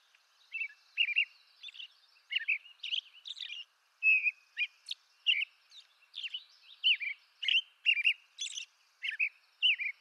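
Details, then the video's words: American robin from eastern North America sings a steady stream of short phrases: clear whistles and brief, squeaky, high notes, repeated roughly every half second for ten seconds. "American Robin Bird Song"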